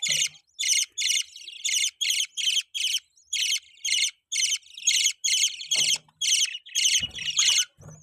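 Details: Pet budgerigars chirp in a regular series of short, harsh, buzzy notes, roughly two per second, with a few soft knocks in the background.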